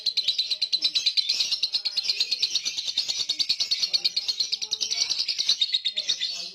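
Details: Falling-asleep chatter of a lovebird, used as a lure for birds slow to sing: an unbroken high, buzzy trill of quick repeated notes, with faint low background sounds beneath.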